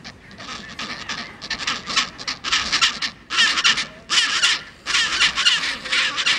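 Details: Chinstrap penguins in Antarctica, on the peninsula or at Deception Island: loud, harsh, broadband bursts of braying delivered in pulsed bouts about a second long, separated by short gaps.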